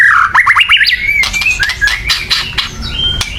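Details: A white-rumped shama's loud provoking chatter, meant to excite birds into song, opens with rapid zigzag whistled notes, then sustained whistles and harsh chattering bursts repeated about three times a second, over low rumble.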